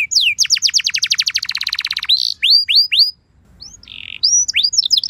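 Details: Canary lure song meant to spark a reply from other canaries, opening with a long accelerating trill, then separate rising whistles, a brief buzzy note and a few sharp chirps.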